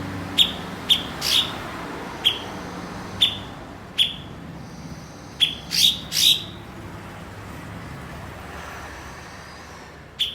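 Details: Blue-winged leafbird, valued by bird-song hobbyists as a master bird because it fluently mimics other birds: irregular sharp high chips with short falling tails, a brief cluster of rougher notes near the end, steady low background hiss.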